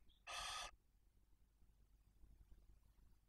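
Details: Barn owl at a nest in Cabañeros National Park, Spain, with chicks one and four days old as the male brings prey to the female; a single harsh, broad rasping hiss about half a second long, preceded by a faint thin squeak, then quiet.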